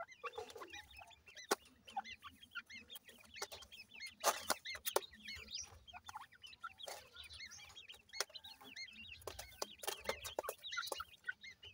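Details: Grey francolin chicks, Punjab, Pakistan: a dense, steady chorus of tiny curved peeps from many young birds, dotted with sharp clicks and tapping.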